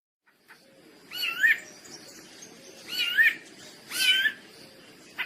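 Rufous-bellied Thrush singing three short, clear, warbled whistled phrases about a second apart, over a low background hum.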